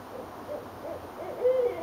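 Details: Owls in Richmond, Virginia, calling to each other on January 8, 2012: several soft, rounded hoots in a row, closing with one brighter, held hoot.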